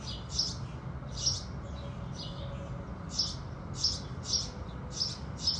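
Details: House sparrows at sunrise give loud, separate sharp cheeps, about one a second with some gaps, and softer chirps between them, over a dull background rumble.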